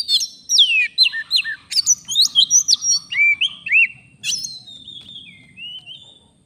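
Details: Oriental magpie-robin, a forest bird, singing loudly and continuously in full voice: a fast series of varied whistled notes, sharp upslurs and downslurs alternating with short buzzy phrases, about two per second, ending in a softer trailing warble.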